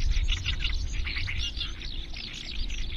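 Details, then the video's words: Eurasian skylark pouring out a quick run of chirped and warbled notes, dense and unbroken, over strong low rumble. "Eurasian skylark song"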